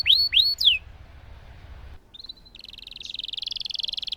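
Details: Singing canary used to stimulate silent canaries: three swooping whistles, a short pause, then a buzzy phrase leading into a fast, steady rolling trill.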